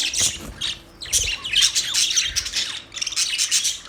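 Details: Busy budgie chatter of harsh squawks, downward-sliding chirps and fast scratchy warbling, almost unbroken.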